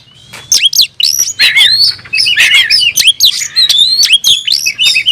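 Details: Oriental magpie-robin in rival-seeking song: continuous loud, varied whistles, sweeping slurs and rasping chatter, phrases following each other quickly, with a faint low hum beneath.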